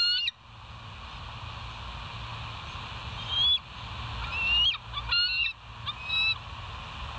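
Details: Bald eagle at the West End nest, viewed on a live nature cam on 14 July 2023: thin high whistled notes and short chattering bursts, a few rising sharply, over a steady low hum with faint background noise.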